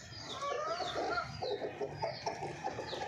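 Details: Golden Misri hen clucking: a run of short, low, evenly spaced clucks with fainter high squeaky chick-like peeps over a busy noisy background.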